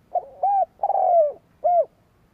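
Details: Decoy spotted dove cooing to stir up rival birds: a four-part phrase of soft rounded notes with a long, slowly falling middle note, then a clipped closing coo; nothing else audible.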